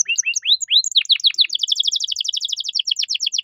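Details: Caged canary singing a gacor masteran song in the luxurious cengkok mewah style, used to tutor young songbirds: rising whistled sweeps give way to a fast, even rolling trill of paired high notes. No other sounds.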